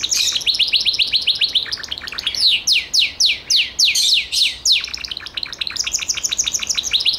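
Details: Gloster canary song opening with a quick clipped trill, moving into a slower run of loud downward-swooping whistles, then returning to rapid, crisp repeated notes.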